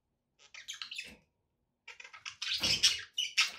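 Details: Pet budgerigars in chattering warble: two bursts of scratchy, buzzy notes clustered high, the first brief, the second louder and denser with clicking ticks, separated by a short silence.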